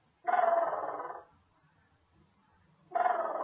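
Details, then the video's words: Female pet African grey parrot giving two loud, rough, bark-like bursts, the first lasting about a second, the second starting roughly two and a half seconds later, with a quiet room between them. "OMG my bird African grey is so cute. She is taking, barking, sneeze and etc"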